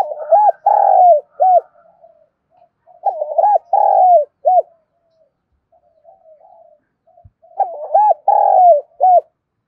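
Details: Lure spotted dove cooing to provoke wild doves: three repeated phrases, each of a few rounded, arched coos followed by a long, throaty drawn note and a short closing coo, separated by quiet murmuring.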